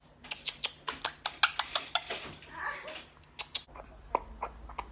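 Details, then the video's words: A blue Quaker (monk) parakeet indoors, talking to its friends: quick, sharp clicks and chirps, four to five a second, with a brief softer warble midway. "Blue Quaker Parrot Love Talking to its Friends"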